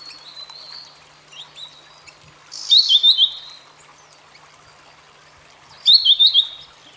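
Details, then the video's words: Grey-headed canary-flycatcher, native to Asia, singing two loud high warbling phrases of rapid slurred notes about three seconds apart, with softer high notes before them. "Grey Headed Canary Flycatcher Singing"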